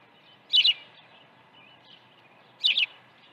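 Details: Osprey at the nest during an early feeding on 1 June 2019; two loud doubled high chirps about two seconds apart, with faint softer notes between.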